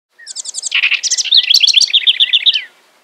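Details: A house wren at Hulls Gulch, Boise, Idaho, sings a fast, bubbling run of high chattering notes, starting with buzzy trills and ending in a rapid rolling series.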